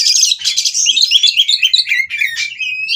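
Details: Captive breeding oriental magpie-robin in Kroya, Indonesia, singing during mating to make rivals sing: a fast, continuous flow of buzzy trills and sweet descending whistles, about four notes per second.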